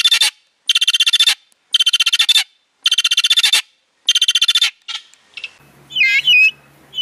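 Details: Vulturine guineafowl (Acryllium vulturinum), call.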